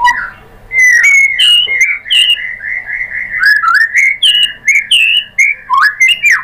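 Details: Lure recording for a white-rumped shama, meant to provoke it into singing its 'tembakan' material. Loud, clear whistled notes run almost without a break, with sharp upward flicks and high chips woven through.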